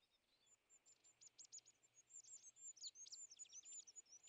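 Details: European greenfinch near winter feeders, where it aggressively drives off tits, sparrows and nuthatches; quiet, high chirps and short twittering notes in irregular runs, growing busier toward the end.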